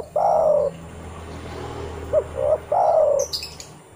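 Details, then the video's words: Spotted dove summoning other doves, used as a lure to make doves call: a long falling coo ends one phrase, then a hooked note, a short coo and another long falling coo follow; faint high chirps at the end. "TEKUKUR TAK KUNJUNG BUNYI PUTAR SUARA TEKUKUR INI"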